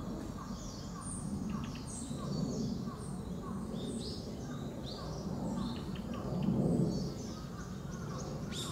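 A female Narcissus flycatcher repeats a short, low chipping call about every half second. Higher chirps from other birds and a steady background rumble are also heard.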